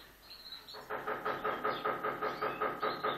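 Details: A rescued common kestrel chick that fell from a rooftop nest and has deformed legs is being fed at a rescue station. It gives rapid, harsh, rasping begging notes, about three per second, preceded by a few thin high whistles.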